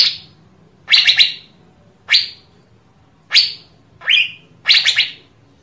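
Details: Asian fairy-bluebird song from a recording played to encourage other birds to sing: five sharp rising whistled notes, some stuttered in two or three quick pulses, about a second apart, over quiet hum.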